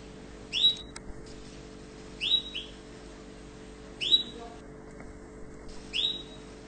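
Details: Tunisian canary, orange, sounding bright rising chirps every one and a half to two seconds, some doubled, with a faint click and low murmur between notes and a steady background hum.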